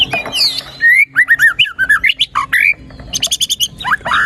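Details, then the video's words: White-rumped shama song played to stimulate a quiet shama: a loud series of short, downward-slurred whistles repeated quickly, then rattling high chips and more rising whistles. "PANCINGAN MURAI BATU GACOR ! BONGKAR ISIAN ! NAIKAN MURAI BATU MALAS BUNYI AGAR CEPAT GACOR !"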